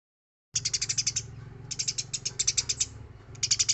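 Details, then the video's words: Eurasian tree sparrow singing actively, recorded as training song for other birds: after a half-second of silence, rapid bursts of high, sharp chirps in quick series, pausing briefly and resuming, with a low hum beneath. "MASTERAN GEREJA GACOR SUARA BERSIH"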